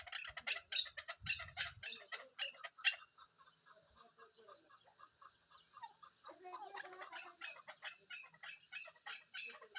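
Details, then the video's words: Chukar partridge, a local desi bird kept for hunting, giving rapid runs of harsh clucking chuk notes, about three per second, in bursts that fade and then build again. A deeper rumble appears near the start. "Shikari Desi chakoor"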